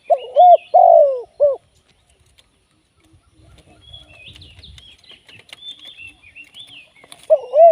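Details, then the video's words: Live decoy spotted dove for trapping. One low three-note coo phrase opens the recording, with the long middle note sliding downward. A stretch of small birds' chirping follows, and another phrase begins at the end. "เสียงนกเขาใหญ่ ต่อสด"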